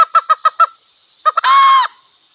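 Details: Village wild fowl: five fast rhythmic clucks, a short gap, two more clucks, then a loud, sustained, nasal note, with a steady high-pitched hum in the background.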